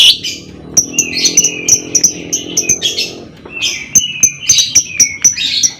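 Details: Lovebird chattering in ngekek style to provoke other lovebirds into singing: dense run of high ticks mixed with harsh, buzzy, rasping notes, continuous and busy throughout, with a low hum beneath.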